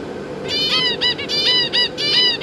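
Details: Captive zebra finches, a pair with three juveniles and three newly fledged young busy being fed by the parents, recorded 18 December 2022: loud nasal, honking calls in quick bursts of three to four, separated by short gaps, over a steady low hum.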